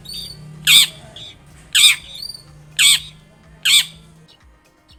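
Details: Long-tailed shrike sound meant to prompt a shrike to start singing and answer at once: four harsh broadband rasping squawks about one second apart, with a faint low hum beneath that stops near the end.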